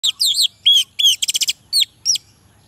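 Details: Orange-headed thrush song, played to prompt lazy males to sing: short loud phrases of high twisting whistles, then a fast burst of five clipped notes, then two separate slurred whistles, all in a quiet background.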